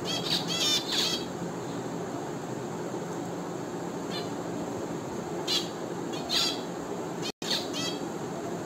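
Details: Short nasal finch notes come in quick pairs at the start, then sparse single chirps, against an even mechanical hum.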